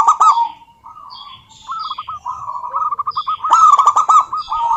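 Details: A local female zebra dove's rival-calling coo: a brief soft opening note, then a rolling run of quick stuttering coos that grows louder and more emphatic toward the end.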